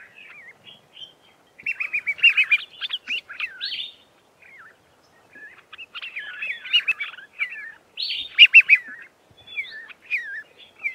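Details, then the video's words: A flock of red-faced mousebirds in an acacia tree trade bursts of high, chattering whistles, several birds overlapping, in three bouts with brief pauses, recorded very close; at the end they all fly off. "Red-faced Mousebirds calling to each other in a flock"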